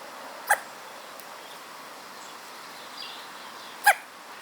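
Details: Hooded crow fledgling with a serious case of hiccups: two abrupt, sharp clicking hics about three seconds apart, with a faint soft sound between them, over a quiet, steady background hiss.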